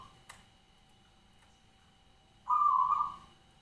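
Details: Kept local zebra dove (perkutut) of the ground-nest katuranggan type in full song. After a long near-silence, one loud, smooth, even coo phrase lasts nearly a second. A faint tick comes early on, over a steady low hum.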